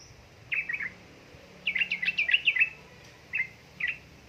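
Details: Yellow-vented bulbul song, described as a female calling a male and meant to prompt lazy birds to sing: a short gurgling phrase, a longer burst of rapid liquid notes, then two brief chirps.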